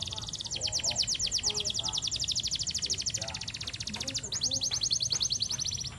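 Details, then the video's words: Canary master song for training, kept near a garden: rapid high trills of uniform buzzy notes, one long rolling run broken by a brief pause then resumed, steady and loud throughout, with faint low background sounds. "kenari gacor #masteran"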